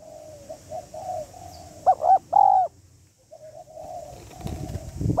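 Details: Female spotted dove cooing to stimulate a male: low murmured coo notes, then two loud arched coos, over a steady background hum and faint high hiss.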